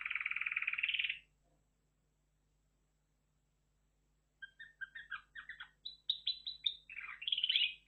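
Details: A dense buzzy trill from a red factor canary, a pause, then scattered chips and twittering notes building into a jumbled warble, with a faint low hum behind.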